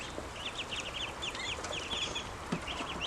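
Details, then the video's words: Growing ducklings calling out of hunger: rapid runs of high, thin peeps in quick overlapping bursts, about two a second, over a steady background hiss. "Ducklings have grown and are making more sounds, especially when hungry"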